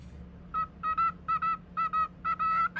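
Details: Male pet cockatiel in cute chatter: a quick series of short nasal, evenly pitched notes, mostly in pairs, about a dozen in under three seconds, with a low hum underneath.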